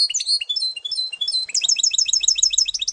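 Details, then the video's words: Canary-goldfinch hybrid, or mule, from 2018, delivering fast high twittering song: varied chirps and slurred notes, then a rapid run of evenly repeated bright notes. "-ΚΑΡΔΕΡΙΝΟΚΑΝΑΡΟ- (canary-Goldfinch mule 2018)"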